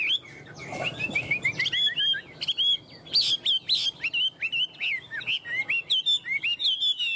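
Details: Continuous lively whistling from a tame caged Chinese hwamei that hugs the cage bars and shows off its wings and tail: quick slurred notes tumbling up and down in a high, rapid, varied stream.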